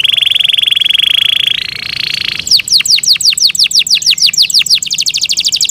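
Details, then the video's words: Loud song of a pet Yorkshire canary: a sustained buzzy trill rising a step in pitch, then a rapid run of clear descending whistled sweeps, each about a fifth of a second apart. "Yorkshire canary Nice sound"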